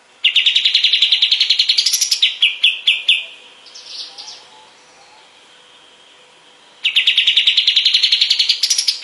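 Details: {'text': 'Sooty-headed bulbul (kapas tembak) master recording for teaching songbirds: a long fast trill of sharp notes climbing in pitch, broken clicking notes, a quiet stretch, then the rising trill again.'}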